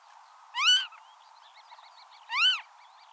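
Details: Wild Marsh harrier (Circus aeruginosus) gives two strong, arched mewing calls about two seconds apart. Faint twittering from small birds fills the gap between them, over a constant background hiss.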